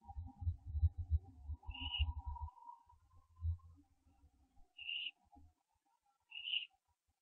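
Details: Barn owl owlet branching, 15 September 2011 at 4:07 AM, live-streamed nest camera; three brief, high, hissy wheezes stand out over heavy low thumping and scuffling noise in the first half.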